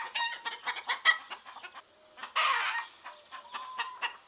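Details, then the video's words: Flock of chickens in Greece during the morning, quick clucks repeated in a fast series, then a louder harsh squawk, followed by quieter scattered clucking. "Roosters crowing in the morning"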